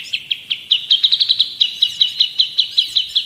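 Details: Long-tailed shrike (cendet or pentet) in lively tutor song: a steady series of sharp, high, clipped chips, about two or three per second, speeding up briefly into a quick cluster.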